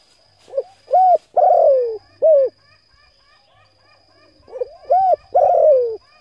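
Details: Spotted dove cooing to lure and stimulate decoy birds: two phrases of short arched coos around 600–800, each ending in a longer, falling, drawn-out note, with a faint steady high tone running throughout.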